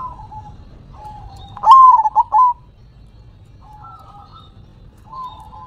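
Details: Zebra dove doing manggung song with head shaking, one loud burst of rapid stuttered coo notes, then quieter scattered coos from nearby doves.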